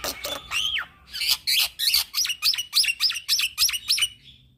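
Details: A young black-winged myna sings nonstop in the 'ngeroll' style as a training model: a looping whistle, harsh chatter, then about nine rapid identical hooked whistles at a steady beat.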